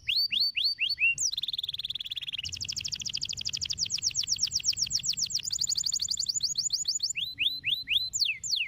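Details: Canaries stimulated to sing, delivering a varied song of quick sweeping whistles, a steady low rolled trill, a long high rapid buzzy trill and closing series of rising and falling slurred notes.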